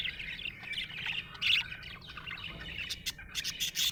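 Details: A happy budgie chatters in a busy, scratchy warble, with short sharp squeaks and several crisp clicking ticks toward the end.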